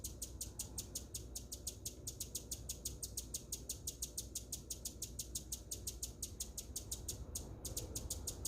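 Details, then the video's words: A hummingbird gives a steady run of sharp, very high chips, about five or six each second, with one brief pause, over a low background rumble. "Hummingbird chirping sound"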